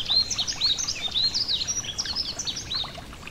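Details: Beside a gentle stream, a yellow-throated bunting gives loud, high twittering notes, with sharp chirps and short slurs tumbling together in an irregular stream for over three seconds above a faint water murmur.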